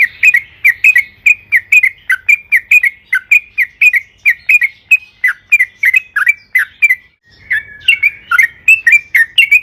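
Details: Yellow-vented bulbul in vigorous long rolling song, used as a lure to set other birds singing: a steady run of short bubbly, slurred notes, about two per second, with a brief pause near seven seconds.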